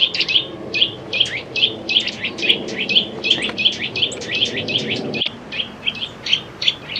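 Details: Eurasian nuthatch giving a steady series of short, bright piping notes, roughly three a second, evenly spaced throughout, over a soft low background murmur and one sharp click near the end.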